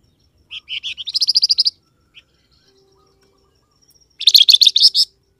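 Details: Flamboyan bird call meant to make wild birds answer: a run of high chirps that speeds into a quick trill. After a pause, a second loud burst of rapid, bright notes follows.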